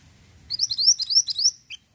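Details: Ashy tailorbird singing a quick, loud series of high, rising slurred notes, about eight in barely a second, ending with one separate short chip.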